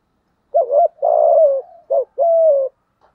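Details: Cooing spotted dove, thổ voice style, calling to goad a rival male: two paired phrases, each a quick dipping note then a drawn-out level coo that sags at the end, in quiet surroundings.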